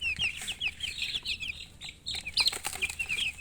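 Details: Domestic chicken chicks chirping: a dense flock of high, thin peeps in quick downward-slurred notes that overlap continuously, with short pauses and faint low background hum.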